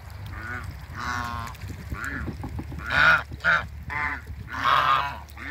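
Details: Meeting a pair of African geese at a waterbird farm; steady, hoarse honks repeat through the passage, swelling into louder, strained calls near the end over low background noise.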